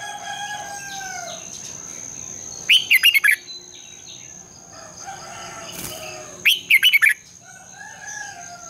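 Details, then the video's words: Morning song of a red-whiskered bulbul, long twisted double voice used to train birds: two lively phrases of four or five rapid warbled notes about four seconds apart, with quieter chirping birds and a faint high hum behind. "Luyện chào mào hót sáng, Giọng kép xoắn dài -THÚC BỔI MAU HÓT, luyện chào mào hót sáng căng lửa"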